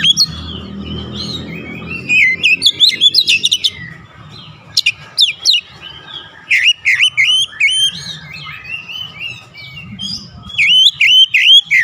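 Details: Oriental magpie-robin, played to calm stressed birds into singing: long rambling song of quick whistles, trills and sharp notes in bursts with short pauses, and a low hum in the background.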